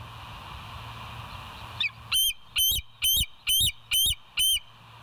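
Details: Bald eagle on a live nature cam at West End on 24 September 2023, 06:59: a short lead-in note, then six loud, evenly paced, piercing whistled notes about half a second apart over a quiet hum.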